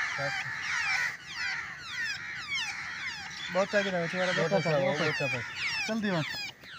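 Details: Babblers being caught with a net trap chatter in a noisy group, with harsh, squeaky notes overlapping in quick bursts; a man's voice is heard partway through.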